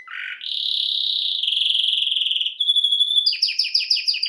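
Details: Canary in song: a short low buzz, then a long steady rolling trill, a pure whistled note, and a quick series of sharp repeated chirps at the end.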